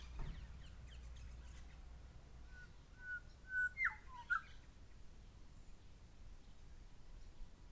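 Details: Pair of grey shrike-thrushes calling: a short run of level whistles leading to loud, sharply inflected whistled notes with a downward sweep, after a brief faint rustle at the start.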